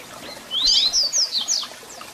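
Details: Double-collared seedeater singing, meant to warm up a captive bird: a brief, bright phrase of fast rising and falling whistled slurs, high and clear, lasting about a second.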